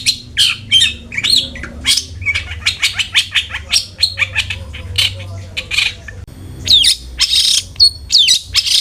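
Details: Long-tailed shrike singing as a lure to encourage a bird to sing: a dense jumble of harsh chatter, sharp clicks and twisting whistles, briefly pausing before resuming with thin slurred notes.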